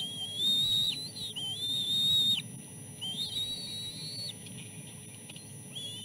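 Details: Begging chicks at a nest during feeding, three siblings squabbling for fish; long drawn-out whistles, held steady then cut off, repeated about once a second, over low background noise.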